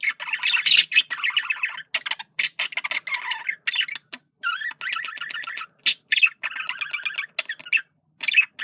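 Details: Male budgerigar's communication chatter: steady stream of warbling, squawking and rippling pulsed notes, with brief clicks and a few short pauses.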